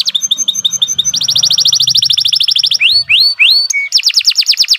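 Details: Canary training song: quick paired notes leading into a fast rolling trill, then rising whistled slurs, a short flat whistle and another rapid trill.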